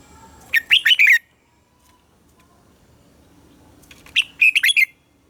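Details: Red-whiskered bulbul giving competitive morning song in the 'già rừng' double-note style, meant to stimulate captive bulbuls. Two fast phrases of chirpy, slurred whistles separated by a long quiet pause.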